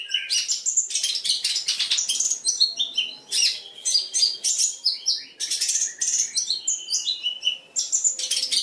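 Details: Long-tailed shrike performing a varied, mimicry-rich song as a training recording for other birds. Harsh rasps mix with rapid high twittering and short clear whistles, broken by brief pauses.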